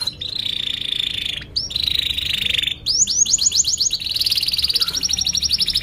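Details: Excited canary lure song for teaching young birds to sing: two long buzzy rolls broken by short breaks, then a quick burst of rising chirps and a fast high trill.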